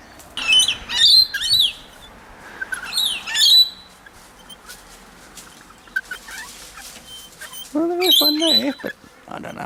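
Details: Visiting wild Rainbow lorikeets (Trichoglossus moluccanus) at a tray in Queensland, Australia, with dogs nearby, give harsh, grating screeches in bursts of two or three with pauses; a low voice and a whine near the end.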